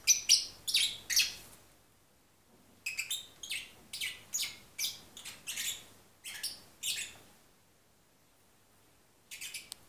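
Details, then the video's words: A lovebird sings half-asleep, softly, in bursts of high, scratchy chirps and twitters, several per second, with short pauses and a faint indoor hum. "sleepy singing Lovebird Parrot / Agapornis Papagei singt im Halbschlaf"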